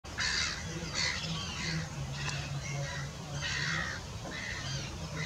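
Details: Pied avocet at Washington WWT giving a series of short, clear, repeated calls in bursts about every half second to a second, over a steady low hum and background murmur.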